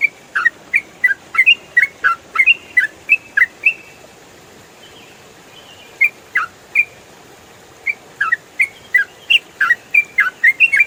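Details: Yellow-vented bulbul, recorded clearly in rapid 'ropel' style as training audio, pours out bursts of short whistled up-and-down notes, breaking into a brief quiet spell before resuming, with steady light hiss throughout.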